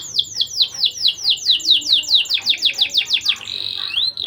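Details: ['Canary singing as a lure to excite young canaries into breeding: an evenly paced series of clear downward-sweeping chirps, about three per second, closing with a drawn-out rising whistle.']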